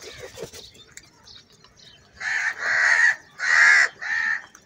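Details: Crows gathered in a large number, squabbling over food, give four loud, raspy caws in quick succession over two seconds, after fainter chatter at the start.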